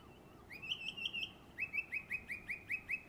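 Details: Song thrush, West Cornwall, England, summer: a warbling, wavering trilled phrase gives way to a fast series of about nine short repeated chirps.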